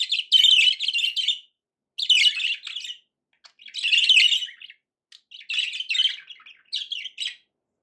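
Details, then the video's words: Pet budgerigars chattering happily: bursts of busy, scratchy warbling with squeaky notes, each about a second long, separated by short silences. "happy budgie sounds"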